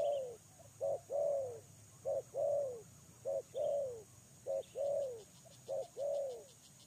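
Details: Spotted dove kept as a lure bird, giving low cooing phrases: a short coo followed by a longer, slightly arched coo, repeated steadily about every second, over a faint background of rhythmic insect ticking.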